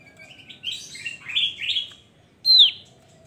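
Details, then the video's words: A Javan grey-throated white-eye sings actively: a quick, high warbling run of twittering notes, then a pause and one bright, sharply falling whistle. "Opior Jawa gacor"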